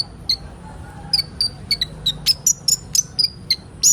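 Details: Sunbird called kolibri ninja, a recording made to prompt young birds into song. Spaced, high, sharp tsip notes come every quarter to half second, some dropping slightly in pitch, over a low hum.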